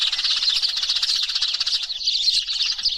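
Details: Lure recording of a noisy Eurasian tree sparrow flock meant to bring birds down: a dense, overlapping chorus of bright, high chirps packed into a continuous chattering mass with no pauses.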